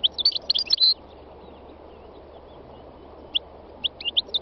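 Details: Wild European goldfinch, called khalwi or chardonneret: two bursts of high tinkling twittered notes, a quick jumbled run at the start and scattered short chirps near the end, over a steady low background hum.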